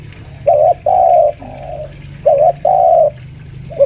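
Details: Spotted dove lure bird, five years old and kept at home, pressing a rival: a wavering short coo then a long level coo, a softer trailing coo, the pair repeated after a pause, low hum behind.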